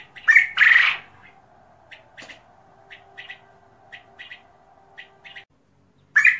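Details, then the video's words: Loud, harsh squawks from a king quail at the start and end, separated by soft, clipped single and double chirps over a faint hum. "Çin Bıldırcını"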